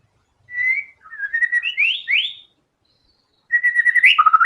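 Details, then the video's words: Vigorously singing white-rumped shama showing its song repertoire: rising, slurred whistles climbing in steps, a short pause, then a fast pulsed phrase ending in a sharp downward drop. "MURAI BATU GACOR‼️FULL BONGKAR SEMUA MATERI ISIAN"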